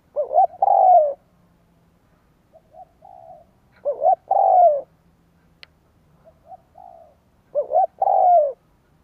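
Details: Three loud cooing phrases roughly four seconds apart from a spotted dove used to lure wild doves, each two hooked notes and a long falling coo, with soft quiet coos between them.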